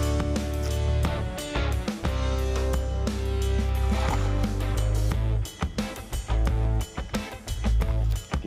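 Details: Loud music with a heavy bass beat fills the whole recording, with no animal calls audible.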